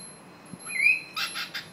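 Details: A cockatiel sings the Chocobo tune it learned from another clip: a short rising whistled note, then a few raspy chirps.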